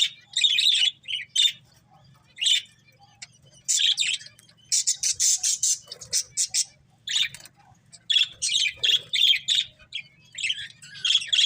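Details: Breeding pair of pet budgerigars chirping and squawking in loud clustered bursts of sharp, bright, scratchy notes with short silences between, over a faint steady low hum.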